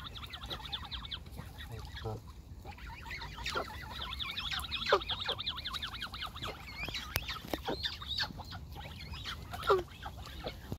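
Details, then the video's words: Group of young Canada geese close by, calling constantly: wavering, rising and falling harmonic notes overlap in a busy chorus, with a few sharper honk-like calls standing out and faint low background noise. "I got young Canada Geese Around Me"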